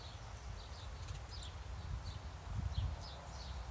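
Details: Feeding house sparrows utter brief high chirps every half second or so, with soft rustling and a dull low-frequency rumble underneath.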